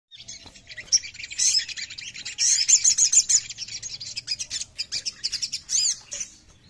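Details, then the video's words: Oriental magpie-robin (sogon) singing: a fast, varied run of high chirps, trills and short whistled notes, packed densely with little pause, including a brief rising-falling sweep near the end. "SOGON MANAPUN LANGSUNG BUNYI DENGAR INI !!"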